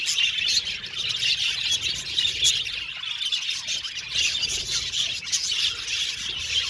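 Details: Aviary full of happy budgerigars: dense, scratchy chatter with squeaky squawks and rapid tweets running continuously through the whole stretch.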